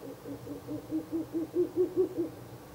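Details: An Ural owl at a nest box at night in mid-April 2024 gives a quick run of about ten low, hollow hoots, roughly five per second, swelling louder toward the end.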